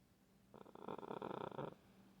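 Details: Pet green-winged macaw cuddling its owner like a puppy, giving one raspy, rattling grumble lasting just over a second with a pulsed, throaty texture, in a quiet indoor room.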